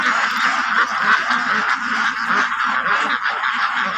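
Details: White Pekin ducks on a farm make a dense, unbroken chorus of overlapping nasal quacks that fills the whole recording with constant loud chatter.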